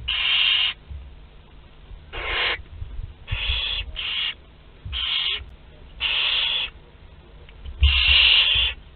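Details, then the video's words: Barn owl chicks aged two to twelve days at a group meal, nest in Théding, France, 29 April 2021: harsh hissing screeches, about half a second each, repeated irregularly, several overlapping voices, low hum beneath. "Repas de groupe (2-12 jours) - 29/04/2021 - Les Chouettes Effraies de Théding"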